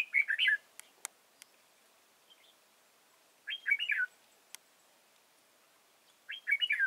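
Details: At a bird trap at Chùa Hương, Vietnam, 31 March 2018, a decoy red-whiskered bulbul repeats a short bubbly whistled phrase three times, roughly every three seconds, separated by quiet stretches and a few sharp clicks.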